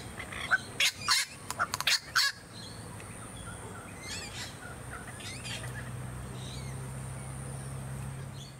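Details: Masked lapwing (Vanellus miles) on the Sunshine Coast, Queensland, in January 2022, gives a burst of loud, harsh, rattling calls, then fainter scratchy notes over a steady low hum.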